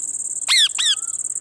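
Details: Two short, falling, harmonic squeaks from a parrot that is eating lemon, each under a quarter second, over a constant high-pitched insect drone.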